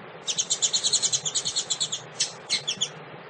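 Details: Double-collared seedeater (Sporophila caerulescens), female call: female calling to stimulate males.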